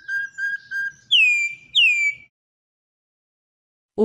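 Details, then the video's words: In classic style, a Brazilian Campo troupial gives three short flat whistles and then two powerful descending whistled slurs. A brief dull thump follows after a pause. "Cantos De "Corrupião" MAIS BONITOS e MELHORES"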